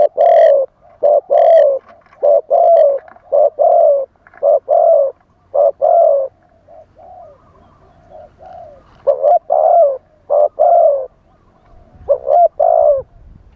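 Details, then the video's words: A spotted dove sings wild-style as a live lure for wild doves. It gives a long run of deep cooing phrases, with softer, fainter coos from a second dove between them. Louder phrases return near the end. "เสียงต่อนกเขาใหญ่ คารมป่า 100 % ต่อสด"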